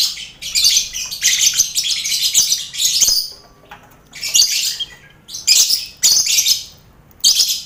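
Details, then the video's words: Colony lovebirds housed with finches and quail, a lively aviary used to train contest birds; long rasping chatter phrases in high, dense bursts, broken by a short lull near the middle, then resuming in clusters. "Sound Koloni Lovebird"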